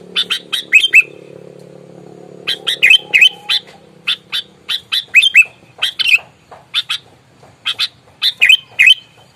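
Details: Aggressive sooty-headed bulbul, used to anger rival birds: dense volleys of rasping bursts interspersed with bright down-slurred whistles, grouped in quick clusters, low droning hum early on.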